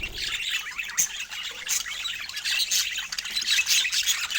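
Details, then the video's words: Lively budgie chatter from pet birds: tangled high twittering and raspy squawks that swell and fade without a break. "Top Cute Budgie Love Moments with Funny Sweet Sounds"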